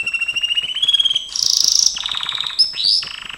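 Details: Gloster canary song for training: a pulsed whistled trill stepping upward, then a loud high buzzy roll, lower rattling notes and a rising whistle into a bright chatter.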